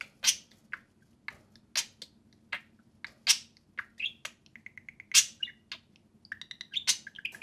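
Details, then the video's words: Pet budgerigars outside the cage chirp and chatter, isolated sharp calls at first, then quick repeated ticking notes and warbled phrases toward the end. "Two social parakeets (budgerigars) play and speak"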